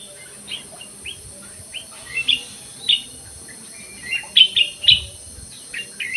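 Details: An aviary black-crested bulbul sings in scattered short whistled chirps, some sharp and rising, spaced irregularly over a quiet background with a steady high hiss.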